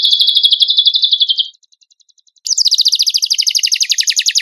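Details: Black-winged myna song as bird-training material: a fast buzzy trill that fades out, a brief gap, then a louder, rapid rattling trill that starts high and slides slightly lower.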